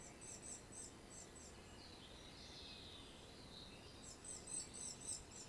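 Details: Common treecreeper calling in Świnoujście, Poland, 25 September 2022: short bursts of very high, thin notes at the start and again near the end, with a brief lower warbling sound in between and a constant low environmental rumble.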